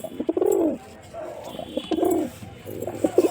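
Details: Male white pigeon giving two drawn-out, throaty coos that swell and fall, with a softer murmur between them and a short burst of clipped notes at the end.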